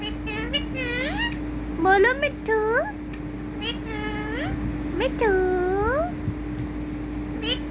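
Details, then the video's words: Pet rose-ringed parakeet, called a talking ringneck parrot, voicing rising and falling meow-like harmonic calls in quick clusters, some swooping upward, with a constant background hum. "ringneck talking parrot 🦜cutness||mitthumitthu bittubittu bolne wala tota"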